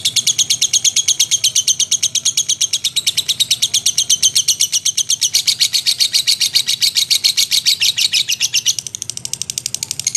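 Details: A lovebird chatters continuously in ngekek style for ten seconds, a dense, even stream of high shrill pulses that fades slightly near the end.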